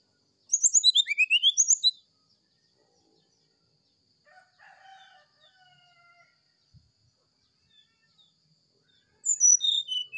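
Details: Morning sulingan song of an oriental magpie-robin: a burst of sharp, high, falling whistled notes repeated quickly. A softer, lower chattering call follows after a pause, then another high descending whistled burst closes the phrase.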